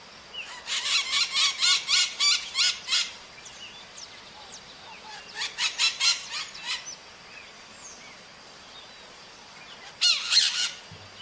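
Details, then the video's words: Wild maritaca parrots calling in nature: bursts of harsh, rapidly repeated squawks, about four per second, in runs lasting two to three seconds, with pauses between and a final short burst. "O CANTO DA MARITACA NA NATUREZA"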